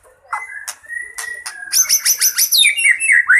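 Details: White-rumped shama in fighting mode, a full varied song used for luring birds: loud clear whistles, some sustained and some sliding, then a fast run of bright chattering notes and rising whistled phrases, recorded close and clean.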